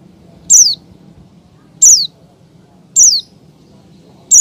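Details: Breeding-condition female Oriental white-eye calling for males, giving single high, sharply falling notes spaced about every 1.2 seconds against faint background hum.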